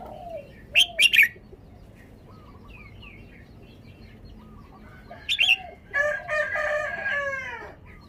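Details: Caged red-whiskered bulbul delivering its song style in two bursts of loud, rich chirped notes a few seconds apart. Quiet low coos sound underneath, and a longer harsh, crowing-like call from another bird follows.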